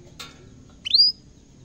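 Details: Canary kept in a cage, reacting to a camera it sees for the first time, utters a single clear whistle that sweeps upward and holds, after one soft click.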